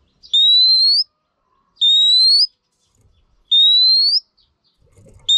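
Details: A female Oriental magpie-robin, kept for training males, gives three long, clear whistles, each sliding steadily upward and ending sharply higher, spaced about one and a half seconds apart in near silence.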